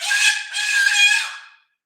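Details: A pet Moluccan cockatoo gives a very loud call while the sound of a live stream is being checked: a harsh, raspy scream in two linked bursts lasting about one and a half seconds, then silence.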